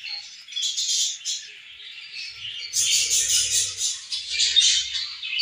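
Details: Flock of pet budgerigars feeding and having fun together, producing constant high twittering and scratchy warbles, growing busier and louder halfway through.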